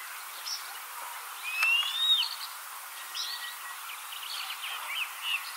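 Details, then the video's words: Juvenile African harrier-hawk (gymnogene) being dive-bombed by other birds in long grass near Afsaal Picnic Spot, Kruger National Park, gives thin, high upward-sliding whistles, a couple in quick succession and a faint later one, over background hiss and faint chirps. "African Harrier Hawk - Gymnogene (Polyboroides typus) Bird Call"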